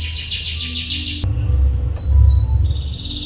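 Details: Canary training song for youngsters learning long rolls: a brief high buzzy trill, then sparse sliding whistles over loud low rumbling noise, ending in a thin sustained whistle.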